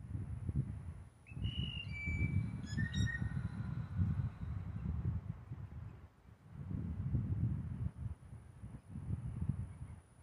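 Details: Blue jays giving mating calls while males compete for one female: a short series of piping, flute-like whistles early on, then mostly low rumbling background noise.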